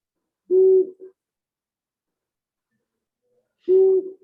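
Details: Long-eared Owl song from a played recording, a fairly deep, poorly carrying hoot. Two low, pure, steady hoots, each about half a second long and about three seconds apart, with silence between them.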